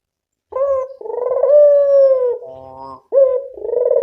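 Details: Lure call of a local puter dove: a short coo, then a long mellow note falling at its end, a softer nasal tone, and another coo beginning.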